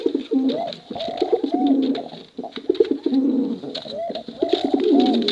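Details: Male and female competition pigeons cooing together: dense overlapping low, throaty, rolling coos with rising-falling arcs, pulsing in bursts roughly every second, with faint high clicks and rustling in the background.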